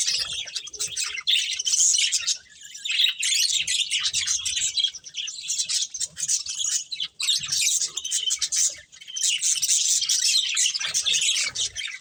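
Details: Colourful budgerigars feeding together keep up a long, unbroken stream of bright chirps, warbles and squeaky notes, dipping briefly at about two, seven and nine seconds, over faint rustling.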